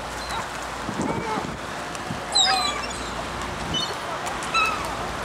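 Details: Gulls feeding on Elliott Bay, Seattle, Washington, seen from a waterfront hotel window: a few short, harsh, nasal calls with downward-slurred endings, spaced a second or more apart, over steady water and harbour background noise.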